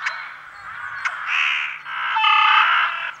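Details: Rook in France uttering rough, buzzy caws, a couple of short clicks followed by two long grating, strained calls, with a low steady hum in the background.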